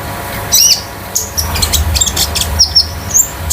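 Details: Young konin kept at home as a tutor bird: scattered high chirps and thin whistled slides, some notes doubled, over a low rumbling background.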